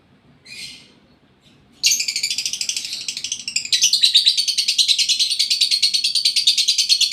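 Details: Lovebird in breeding condition, caged: one brief raspy chirp, a pause, then a loud sustained torrent of fast, harsh, pulsing chirps lasting several seconds.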